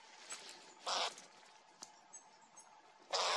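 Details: Eurasian jays feeding on peanuts, recorded 1 November 2022; two loud, harsh, rasping bursts, one early and one at the very end, with faint clicks and scattered thin high chirps in between.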